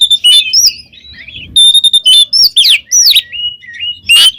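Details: Loud, free-flowing gacor ngeplong singing by an oriental magpie-robin: bright whistles mixed with brief scratchy notes, a couple of quieter gaps, and a final steeply rising whistle.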